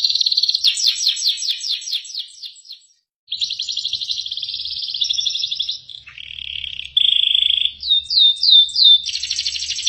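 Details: Canary in full isian song: fast swooping repeated notes, a short pause, a rattling buzzy trill, a held lower whistle, then a few rising chirps and a final dense buzzy roll.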